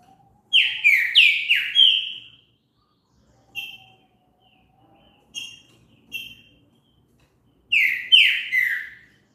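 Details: Green-winged saltator song used to stimulate other birds to sing: loud whistled phrases of four slurred descending notes, then short soft notes, then another whistled phrase.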